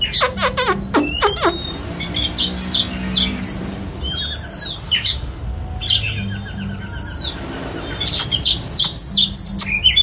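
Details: Singing and dancing white-rumped shama gives a burst of sharp clicks, then high sweeping whistles and twangy chirps, with pauses between varied phrases and a faint low hum underneath.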